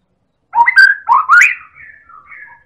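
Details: White-rumped shama, Medan type, used to prompt other birds to sing: a loud phrase of rising whistled slurs, followed by softer, fading whistles.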